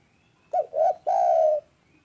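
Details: A single loud, clear spotted dove phrase: a short arched coo, a second rounded coo, then one long, steady coo that slowly falls in pitch.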